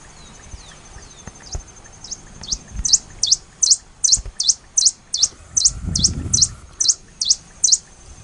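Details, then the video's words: Black-and-rufous warbling finch recorded at Laguna del Diario, Uruguay, on 24 December 2015: a steady series of short, very high chipping notes, about two to three per second, with faint low rumble and a brief steady hum midway. "Poospiza nigrorufa, voc"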